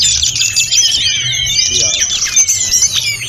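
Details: Snowy-browed flycatcher singing energetically, a phrase-filled song meant for training other birds: steady high twittering with gliding whistles, plus a brief faint lower wavering sound in the middle.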